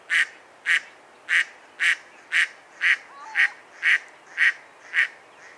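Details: Evenly timed mallard quacks, eleven harsh nasal notes in under six seconds, about one every half second, with a faint thin whistle in the background.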